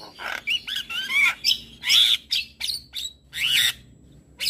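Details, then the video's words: Morning song of a very vocal Javan myna, played to tutor and stir other birds: slurred whistles and squeaky notes broken by rough, noisy rasps in short bursts. "Jalak kebo MAta Putih Super Gacor - Masteran dan Pancingan Burung Jalak Pagi Hari"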